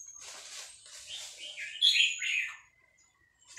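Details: Vietnamese red-whiskered bulbul in a cage, singing fast-linked phrases in excitement while a recording of hatched chicks plays. Soft high chatter builds into one loud, rich warbled phrase with a thin high whistle above, then fades to quiet.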